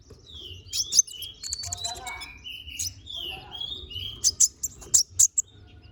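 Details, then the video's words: Konin bird in energetic song used for training magpie-robins: a run of smooth, sliding whistled notes at varied pitches, then a burst of sharp, high chips in the last seconds. "MASTERAN BURUNG KONIN GACOR NGOBRA FULL ISIAN!"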